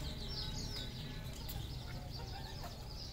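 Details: Red junglefowl kept on a Cambodian farm: bright, quick, falling chirps pouring out in a busy jumble, a few mid-pitched notes beneath, constant low background noise.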